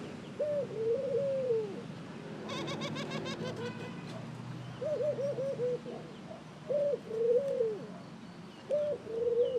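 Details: Repeated three-note coos of a ring-necked dove, a brief upward note then a longer wavering coo, given four times in under ten seconds, with a rapid chattering burst from another bird in between.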